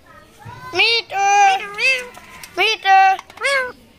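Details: Talking rose-ringed parakeet, tame bird linked to Mirpur 1 bird market, producing speech-like harmonic syllables in two bursts of three, each voiced phrase rising or bending in pitch, with brief gaps and faint background murmur.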